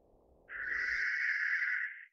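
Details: Taiwan's endemic subspecies of Australasian grass owl, Tyto longimembris pithecops: a single drawn-out hoarse screech lasting over a second, level in pitch and fading at the end, following a brief stretch of low rumbling noise.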